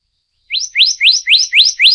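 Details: A Black-naped Monarch of the Taiwan endemic subspecies Hypothymis azurea oberholseri gives a quick run of six bright, rising whistled notes, about four per second, clear and ringing against a silent background.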